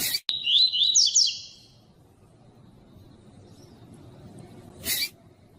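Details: Double-collared seedeater giving its tui-tui style song, meant to encourage other seedeaters to sing. A quick, high-pitched phrase of upward whistled sweeps and buzzy trills lasts about one and a half seconds. It is followed by silence and one loud broadband burst.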